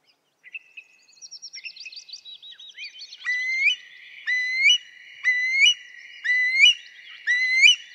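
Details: Eurasian curlew: soft scattered notes build into a series of clear, loud, upslurred whistles, each ending abruptly, repeated about once a second five times.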